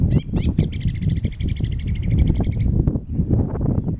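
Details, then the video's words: Eurasian reed warbler at dusk (8 pm) at Blakeney Freshes, 2 April 2013, delivering a rapid, even run of repeated notes for about two seconds, then a brief high thin note, over strong low wind noise. "Reed warbler?"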